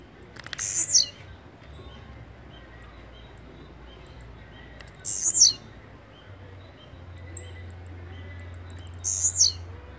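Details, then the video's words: Blue-black grassquit giving a high, buzzy, downslurred note about every four seconds, three times, over a faint low hum. "Canto de Chirrio"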